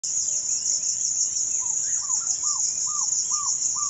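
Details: African barred owlet singing in Kenya, where it has a restricted range: a steady series of short, arched, mellow notes, about two or three a second, over a loud, continuous high insect drone.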